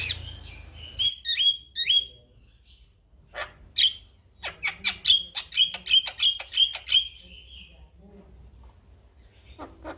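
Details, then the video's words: A male Javan myna sings as a master for other mynas to copy; a few squeaky whistled notes, a silence, then a fast series of sharp, evenly spaced chattering notes about three per second. "JAlak Kebo Jantan Gacor MASsteran Semua Burung Jalak Akan Niru Suaranya"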